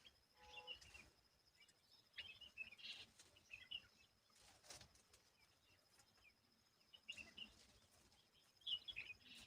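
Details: Asian babbler busy removing bugs around its young gives bursts of bright, twittering chirps every couple of seconds, separated by quieter pauses, over soft background hiss.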